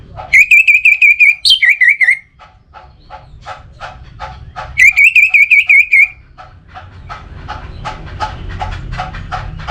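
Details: Orange-headed thrush singing loud, even series of wavering whistled notes, each burst about two seconds long. The bursts are separated by softer, rapid chirping and clicking notes, with a low background hum throughout.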